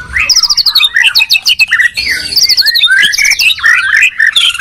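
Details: Singing duel of white-rumped shamas from Medan and Borneo: dense run of high, fast-repeated notes and stuttering trills mixed with lower whistled slurs, almost without pause.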